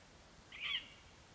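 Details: Male lesser spotted eagle, having brought a vole to the nest on a Latvian nest cam, calls for his absent mate on 11 September 2021: one brief, high, thin yelp against a quiet background with a faint low hum.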